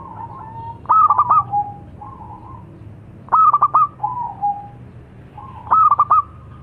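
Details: Zebra dove of the local type, known as perkutut lokal, giving three rhythmic cooing phrases: rapid clipped stuttering notes trailing into a lower, softer purr, with quiet low rumble underneath.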